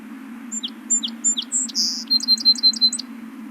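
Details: Song sparrow song played back: three high sweet introductory notes, a sharp buzzy note, then a fast run of bright repeated trilled notes, all clear against a steady low hum.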